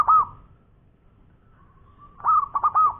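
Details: Zebra dove, local bird, singing in ngowor koar-koar style: a loud hooked higher note, a long soft trailing tone, then three quick loud rising-and-falling notes in a cluster.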